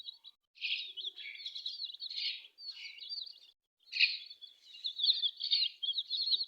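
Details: Several colourful chicken chicks cheeping loudly in bursts, shrill trilling peeps with some harsher, fuller chirps, pausing briefly around the second and fourth seconds before a steady run of rapid peeps.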